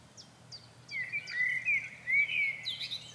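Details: Eurasian wryneck, a migrant breeder, singing in spring from a bush, with another wryneck singing just behind: a fast run of nasal, slightly ringing notes, about four a second, after faint high chirps from another bird, over a low hum.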